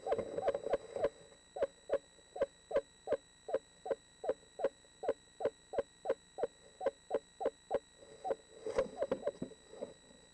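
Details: One of a pair of Eastern screech owls preparing for the spring 2013 nesting season gives a steady run of short, soft mellow hoots, about two or three a second, with a brief louder, rougher flurry near the end.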